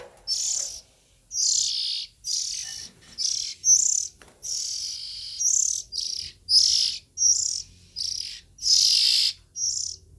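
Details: Oriental magpie-robin nestlings giving about a dozen short, raspy, hissy bursts in quick succession, each under a second long, some with a faint thin whistle inside the rasp. The background is quiet.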